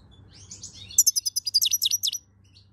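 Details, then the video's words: European goldfinch warm-up song, May 2022. A quick, tinkling burst of about a dozen bright, high twitters in just over a second, over a faint low hum. "Chant chardonneret chauffer"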